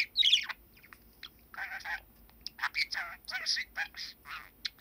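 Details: Pet male budgerigar aged seven, recorded in December 2019, imitates human words, slightly tense: throaty, speech-like phrases in a steady run of short syllables, each a buzzy band of sound, with a sharp squeaky note at the start.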